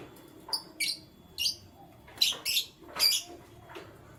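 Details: Canaries calling in the morning: short, bright, high chirps in separate bursts, about six notes spread over four seconds with quiet gaps between them, over a faint low background hum.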